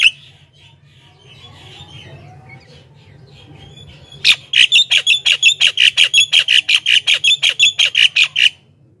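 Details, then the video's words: Javan myna, its song played to lure wild mynas: a soft, muttered warble at first, then a fast, steady string of about twenty loud rasping notes, roughly three per second. "suara burung jalak kebo gacor,ocehan full bikin jalak lain ikut gacor dalam sekejap"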